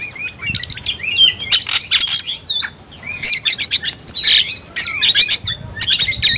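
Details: Agitated Oriental magpie-robin provoked to fight, delivering a dense, energetic song of looping whistles, rapid chattering notes and scratchy squawks that run almost without break.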